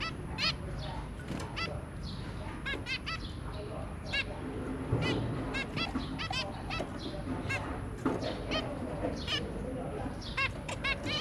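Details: Pair of zebra finches with three babies, recorded 23 January 2022: many short nasal beeps scattered throughout, fairly soft against a constant low rumbling background noise.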